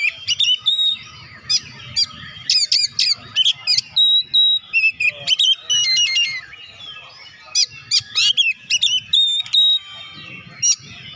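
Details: Energetic Oriental magpie-robin song meant to prompt reluctant birds of its kind to sing: bright whistled phrases, sharp upslurred and downslurred notes, clicks and brief buzzy trills in quick bursts separated by short pauses, over faint low background noise.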